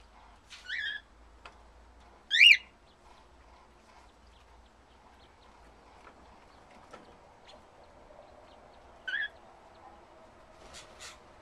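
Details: Cockatiels eating salad in an aviary give a few brief, shrill, harmonic calls spaced several seconds apart over a quiet background.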